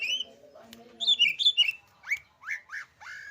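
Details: Green leafbird in song: a run of clear, varied whistles, bright notes dropping in pitch, then three or four quick upslurred chirps, with a faint low murmur beneath.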